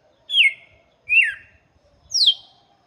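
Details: Three separate falling whistles from a red-cowled cardinal singing for chicks, spaced under a second apart, over a quiet low rumble.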